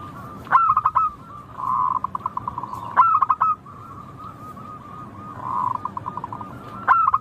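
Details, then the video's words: Local zebra dove (perkutut) song, used to get caged birds singing quickly. Three phrases, one every three seconds or so. Each is a sharp stuttering coo followed by a soft, rapidly pulsed, level trill. "Suara burung perkutut lokal Merdu kristal Jernih Ampuh bikin cepat bunyi manggung ngayer"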